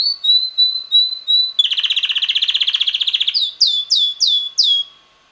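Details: Red male canary about six months old, singing most of the day with weekly changing melodies: steady high notes, then a fast buzzy trill roll, then a run of sharp downward-swept chirps.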